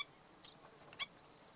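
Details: A Black-necked Stilt, with a chick at Bombay Hook National Wildlife Refuge, gives two brief, sharp, high yipping notes about half a second apart, over a quiet background.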